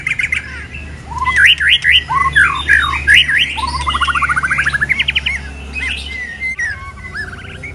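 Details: A moulting white-rumped shama sings varied looping whistled phrases, then a fast even rattle of repeated notes and softer trailing whistles over a steady low hum.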